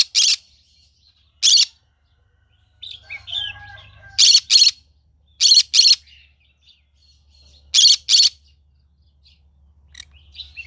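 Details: Green-cheeked conure singing in the morning: loud, harsh, broadband screeches, mostly in quick pairs, recurring every one to three seconds, with soft chattering and squeaky notes between bursts over a low hum.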